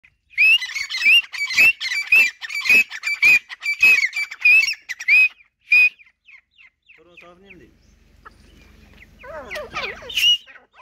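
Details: Grey francolins, two males and two females, calling as they see each other: a fast series of harsh, ringing notes about twice per second, rising and falling. Rustling and a few scratchy, squeaky sounds follow.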